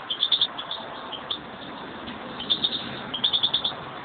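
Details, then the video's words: Two European greenfinches kept at home; two clear bursts of rapid, high chirps, each a quick trill of about five notes, separated by a second of softer twittering over background hiss. "mis pajaros mi pareja verdum"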